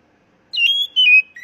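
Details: Oriental magpie-robin song played as a lure to get kept birds singing readily: two clear whistled phrases, the first level and the second slightly falling, ending in a short rising note, with a quiet background.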